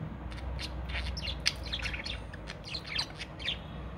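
Cockatiels give a run of short, sharp chirps and squawks over a low background hum.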